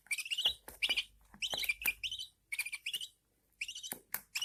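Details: Newborn pet budgerigar chicks being fed by their mother indoors, giving bursts of high, raspy chirps in quick clusters separated by short pauses, with repeated rapid begging notes throughout.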